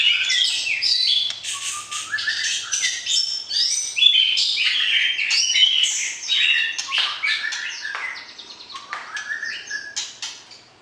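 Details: Pairing-time song of a white-rumped shama used to excite the opposite sex ahead of breeding; continuous jumbled warbling of sharp chips, rising slurs and clear whistled notes, fading gradually at the end.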